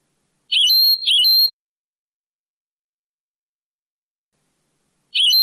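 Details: European goldfinch in Moroccan Sebtaoui song style, from a restored old cassette: a twice-repeated motif of a rough twittering note leading into a level ringing whistle, followed by a long silence before the phrase returns.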